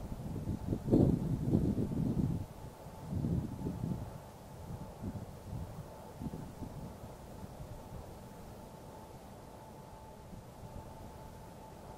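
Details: Only low wind rumble and microphone buffeting, strongest in the first few seconds, over a faint steady hum; no birdsong or other animal voice comes through.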